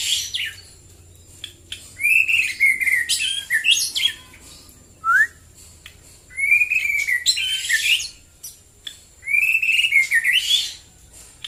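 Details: White-rumped shama singing in the morning, phrases every four seconds or so, each opening with a rich rising whistle and breaking into buzzy, scratchy high flourishes, separated by short pauses.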